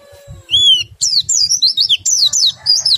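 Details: Oriental white-eye singing ngriwik and ngerol linked to nembak, meant to get other white-eyes singing: one clear rising whistle, then a dense, very high, chattering warble of quick up-and-down notes in short bursts, over a faint low hum.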